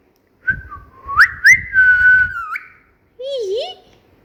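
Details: Singing cockatiel kept as a pet: a run of quick upward-flicking whistles leads into a long sustained whistled tone, followed after a pause by a lower, wavering voiced sound.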